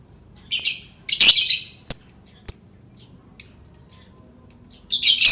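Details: Lovebird sounds used to prompt other lovebirds to sing: harsh, broad shrieking bursts of about half a second alternate with short sharp chips, with a quiet pause before a final rasping burst.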